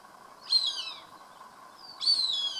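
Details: Two strong, harsh, high squealing cries that slur downward, about one and a half seconds apart: a Cooper's hawk calling while it eats a rat it has caught.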